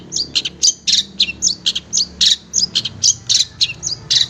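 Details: Cendet (long-tailed shrike) tutor recording: steady repeated high chirps, several per second, alternating hooked whistled notes with harsher scratchy bursts in a regular rhythm.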